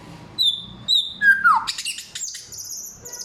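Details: A samyong sings loud, clear forest material: two pure high whistles, a long falling slurred note, then scratchy, noisy high phrases and a sustained thin whistle.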